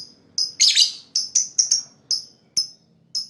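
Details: Lovebird chirping meant to draw in other birds: a harsh chattering burst followed by clear high chirps, some doubled, spaced irregularly over a faint low hum.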